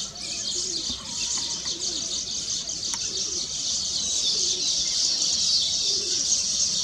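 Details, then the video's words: Several weaver birds sing on their finished nests to celebrate completion: a steady, dense wall of high sizzling, chattering notes, with one brief sharp click midway. "Weaver Bird Songs"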